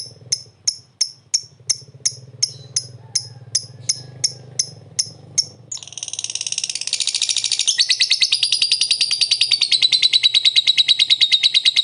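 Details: Lovebird prompting another to ngekek. It begins with crisp single high chips about every third of a second, then breaks into a dense, continuous, shrill rattling chatter that builds and carries on to the end.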